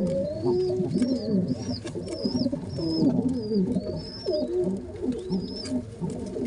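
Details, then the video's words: Two baby pigeons begging while their father feeds them both together: a steady series of high, arched squeaks, roughly one each half second, above dense low gurgling coos and rustling. "how a father pigeon feeding 2 babys pigeons same time | pigeon sounds | baby pigeon sounds"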